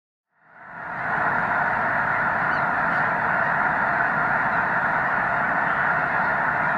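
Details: Snow geese at Loess Bluff National Wildlife Refuge during peak March 2021 migration, over 360,000 present. After a fade-in, a dense, unbroken roar of countless overlapping honking calls from a huge flock continues steadily.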